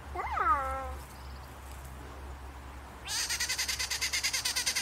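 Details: Rufous-naped wren, filmed around a house among duelling and other behaviours: a brief wavering, nasal note, then a long burst of harsh, rasping chatter, about seven grating pulses a second.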